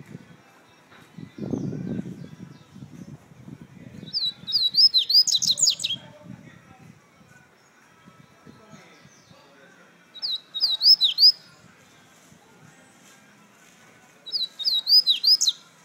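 A Double-collared Seedeater sings short, high, rapid twittering phrases, repeated every five seconds or so.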